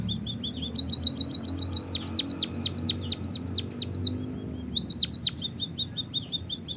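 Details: White-headed munia chirping, used as a lure track to get other caged birds singing; a series of high, thin chirps, with fast repeated notes, then sharply slurred downward notes in short bursts and brief pauses.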